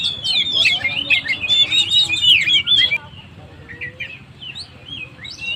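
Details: Kacer song, the Oriental magpie-robin, played to fire up stressed birds: three seconds of dense, loud whistling and twittering, then a quieter spell of isolated short chirps and thin whistles.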